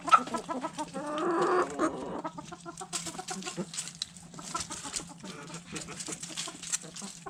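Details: Backyard hens feeding on food scraps: a loud drawn-out harmonic squawk early on, then quick clucks and sharp pecking clicks, with a faint constant hum underneath.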